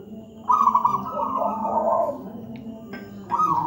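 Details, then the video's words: Zebra dove of local wild stock, deep and full-voiced, singing as a tutor for birds not yet singing: a loud rolling coo, a pause, then another phrase begins, over a constant low drone. "Masteran burung perkutut manggung gacor"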